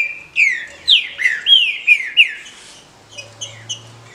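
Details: A female green-winged saltator chatters to stimulate males: a fast series of about seven loud, downslurred squeaky notes, then fainter chirps and a low hum.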